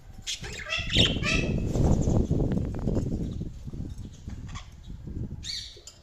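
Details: Budgerigars chirping, with a burst of high, rapid warbled chirps early on, then low rustling and clattering noise, and a short bright chirp near the end.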